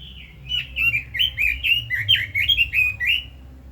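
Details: Red-billed leiothrix, a kept cage bird, singing a fast run of about a dozen rich warbled whistled phrases, each rising then falling, in a steady flowing stream with faint low room hum beneath.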